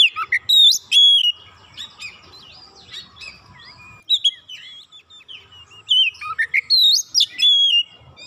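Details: Provoked Oriental magpie-robin delivering its isian: loud rising and falling whistles open the clip, then a quieter middle and a fresh run of sweeping whistled phrases.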